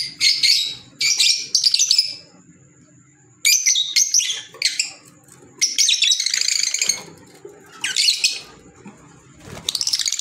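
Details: Green Fischer's lovebirds kept as pets give loud, shrill, scratchy squeaks in irregular bursts, each lasting up to a second, separated by short pauses with a faint steady whine in between.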